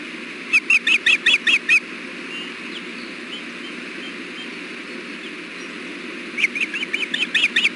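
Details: Osprey at the nest during a fish delivery: a quick run of six sharp whistled chirps, a long quiet stretch with hum, then a rising, excited series of chirps at the end.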